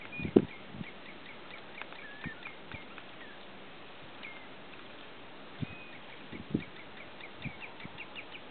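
Redshanks giving thin, high piping notes in quick irregular bursts during a fight, with scattered low thumps and knocks underneath.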